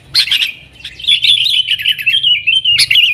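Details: Yellow-vented bulbul giving a 'nggaruda' lure song for drawing in wild sooty-headed bulbuls; a sharp opening burst, a brief gap, then a fast bubbling warble ending in another bright accent.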